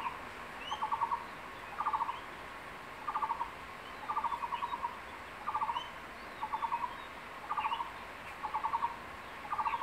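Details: Male crested goshawk near the nest in secondary forest, calling his incubating mate to come for a caught lizard: steady series of short staccato chattering bursts, each about half a second, repeated regularly, with thin upslurred whistles of small birds in the background.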